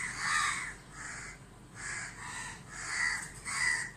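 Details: Crows cawing while mobbing a helpless barn owl in daylight in Dhaka, Bangladesh. There are five or six hoarse, nasal caws, each about half a second long, with a quieter gap in the middle.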